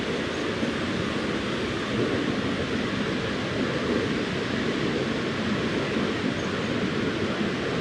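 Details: Only a steady, even broadband roar fills the recording, like rushing wind or distant traffic, with no animal voice.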